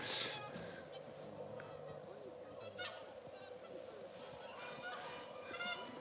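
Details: A flock of swans, coming closer, gives overlapping honking, bugle-like calls up close in winter at the International Crane Center, Kushiro, Japan; red-crowned cranes call more faintly behind, one landing, with light wind noise throughout.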